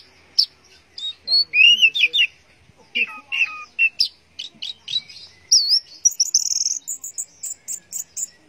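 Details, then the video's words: An orange-headed thrush pours out teler song, with looping warbled whistles, scratchy chips and bright high phrases, ending in rapid repeated squeaky notes. "Burung Anis Merah Teler"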